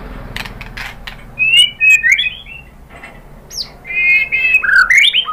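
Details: White-rumped shama song used to lure another bird into singing, said to be a female calling the male; two bursts of whistled warbling phrases separated by a quiet gap, with soft clicks before.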